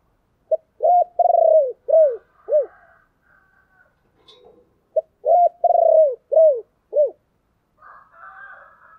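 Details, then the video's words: Spotted dove repeating its 'chìm' lure coo twice, a call used to attract other doves: each phrase has a short note, a long rolled coo and three falling notes, with a soft harsh rasp between phrases. "tiếng chìm cu gáy"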